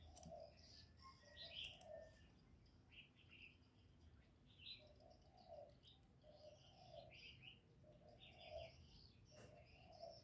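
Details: Spotted dove in the thổ voice style, calling, urging and cooing to stimulate male doves: low soft coos in short repeated phrases, with frequent high chirps and twitters from other small birds throughout.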